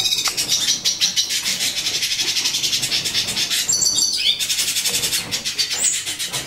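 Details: Lilac-breasted roller kept indoors as a tame breeding pair in a home living room, chicks about one week old; continuous fast pulsing high chirps in steady rhythm, broken by a short sliding whistled note midway.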